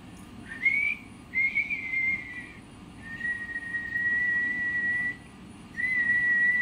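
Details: Parrot producing sustained, even whistles. Notes start with a brief rising slur, then hold a flat pitch for up to two seconds. Quiet low background hum.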